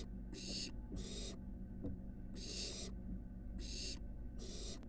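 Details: Barn owl nestling climbing from its nest box porch to the building roof at the University of Florida gives rasping, noisy hisses. There are five drawn-out bursts in five seconds, with a gap midway, over a constant low hum.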